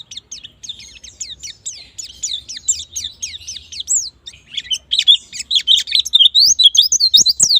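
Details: White-eye song used to coax birds into fast ngalas and nembak singing: steady high chattering of swept whistles that grows louder and more crowded toward the end, with a couple of clicks near the close.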